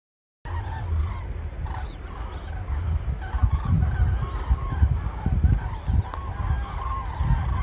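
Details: Cranes at Arnedo on 2 November 2017, taken as a true sign of changing weather: several overlapping rolling, trumpeting calls, some clearer and some farther off, over a steady low rumble throughout.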